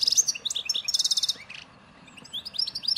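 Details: Chardonneret in 'nature' style, Souk Ahras region of Algeria: a dense run of fast tinkling notes, a harsh buzzy trill, a short quiet gap, then rising thin twitters, with steady low hum beneath.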